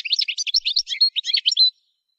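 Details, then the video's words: Short goldfinch song phrase from song training, lasting under two seconds. A quick jumble of twittering chirps ends on a clear drawn-out note, then silence. "Song Goldfinch Training"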